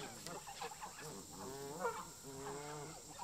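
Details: Geese in a park, locals clashing with migrant visitors: harsh nasal honks, several drawn-out calls in quick succession from more than one bird, with a constant high hum behind.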